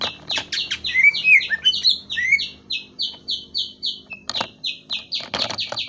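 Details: Greater green leafbird singing a fast run of identical sharp down-slurred notes, about three a second, broken early by loud twisting whistled flourishes and later by a few scattered clicks.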